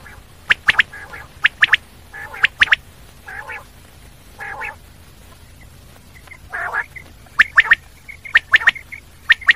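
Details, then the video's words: Common quail: quick three-note phrases alternating with lower, drawn-out nasal notes, then soft chirps and renewed sharp triplets toward the end. "Common quail sound// Batair ki awaz/ بٹیر"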